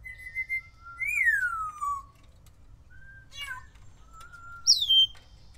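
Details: Captive Timneh African grey parrot practising mimicry: a series of pure whistles, level tones and a long slurred downward note, ending in a sharp high squeaky falling whistle.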